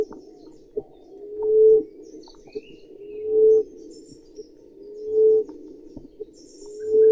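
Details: Common emerald dove repeating deep, rising, hooting coos about every two seconds, four in all, while other birds add faint high chirps and a few soft clicks in the background.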